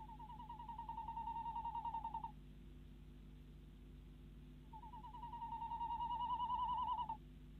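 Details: Tawny owl in the Netherlands at night, 10:23 pm, February 2016, female calling from a nest box as the male arrives with a mouse: two long, rapid trills of wavering notes, each around two seconds, with a steady low hum.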